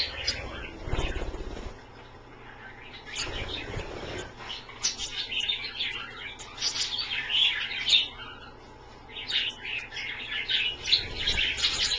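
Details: Caged Australian parrots at a dish bath, their first time bathing this way, chattering in quick high chirps that build through the second half, after early low thumps and splashing noises.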